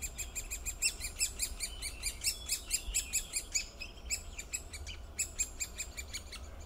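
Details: Great spotted woodpecker: a steady run of sharp, high, clicking 'kik' notes, about three to four each second, over a low background rumble.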